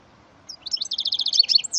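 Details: Goldfinch × canary hybrid (mule), bred from a male goldfinch and a female canary, singing a fast run of bright, high twittering notes, repeated in quick chirpy bursts that rise into a sharp trill at the end.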